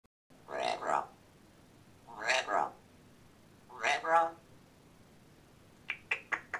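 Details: Pet African grey parrot mimicking the phrase "Red Rum" from The Shining, saying the two-syllable words three times in a hoarse, human-like voice a couple of seconds apart, then four sharp clicks, indoors.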